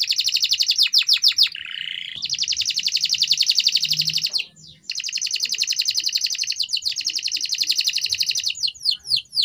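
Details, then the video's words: Canary training song, meant to keep a canary singing: long, dense rapid trills, high and buzzy, broken by a lower rolling phrase and a short pause, ending in quick swept notes. "canary singing _your canary will not stop singing with this training song _ الكناري_"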